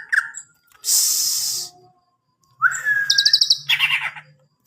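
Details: Greater green leafbird mixing a long harsh hiss with a rising whistle that flows into rapid high trilled chirps and warbling.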